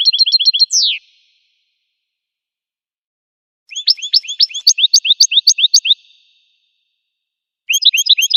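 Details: American goldfinch in the wild: a quick trill ending in a falling buzz, a long pause, then a burst of high upswept twittering notes, another silence, and the song starting again.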